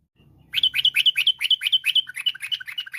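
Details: Sooty-headed bulbul singing energetically in a varied, rapid-fire style meant to draw other bulbuls into song: a steady run of bright, slurred chirps repeated about twice per second, clear and close, with faint low rumble at the start.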